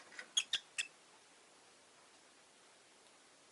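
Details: Rosy-faced lovebirds, five caged birds kept by a window on a relaxed afternoon, giving a quick burst of four short, sharp, high chirps within about half a second, then quiet until one more chirp at the end.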